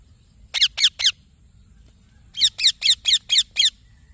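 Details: Young green parrot chirping: three rasping downslurred notes, a pause, then a quick series of seven similar harsh calls.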